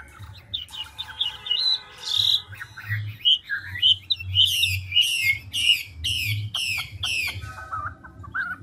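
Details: Chinese hwamei, a big old forest-caught bird, swapping voices quickly: rich whistled phrases with shrill rising notes, then a loud repeated train of buzzy downslurred calls, closing with softer chatter; low hum underneath.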